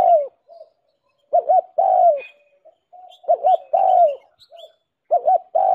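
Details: Spotted dove lure recording, used to spur decoy doves into cooing: two quick clipped hoots, then a long, drawn-out falling coo, repeated about every two seconds, with faint high chirps from other small birds.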